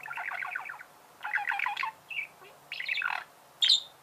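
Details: Budgerigar in a home chattering in rhythmic rattling trills, a short whistled note, then a sudden sharp high squeak at the end.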